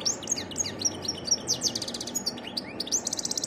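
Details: A varied European goldfinch song: a fast, tinkling jumble of high twitters, slurred notes and buzzy trills, with a faint background hiss.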